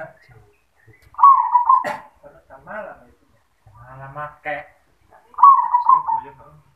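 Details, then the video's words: Zebra dove song in the manggung style: two loud, rolling trilled coo phrases about a second long, separated by softer stuttered notes, with people talking in the background. "Perkutut suara yoman | Perkutut Manggung"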